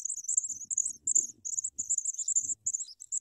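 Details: Young Sprague's pipits begging while an adult feeds them large worms: loud, dense, high-pitched squeaking chirps run almost without break, over faint low rustling.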